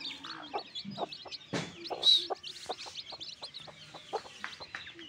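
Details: Newborn backyard chicks peeping in a busy chorus of short, high, rapid cheeps, many overlapping, with lower clucking notes from an adult chicken cutting in throughout.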